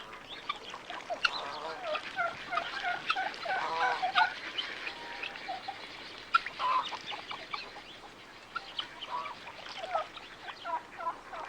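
Domestic geese give a busy chorus of harsh, nasal honks, overlapping and irregular, with other farmyard fowl calling among them.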